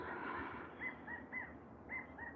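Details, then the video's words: A quail calling outdoors during thunderstorms, its call rendered as 'take a chance, find romance': a faint run of short, clear, slightly rising notes in spaced groups over a heavy rumbling background. "Did you hear that bird? He said, take a chance, take a chance. Find"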